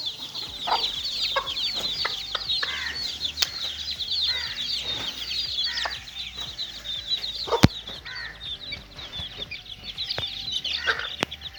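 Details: Chicken chicks playing keep up a dense, unbroken chorus of high, quick peeps, punctuated by several sharp clicks and brief lower notes.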